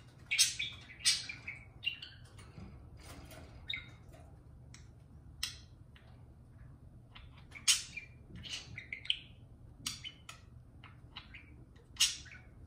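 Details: Indoor pet parakeet singing to a beer can: a lively string of short, scratchy chirps and squawks, some in quick pairs, scattered irregularly across the stretch against a low room hum.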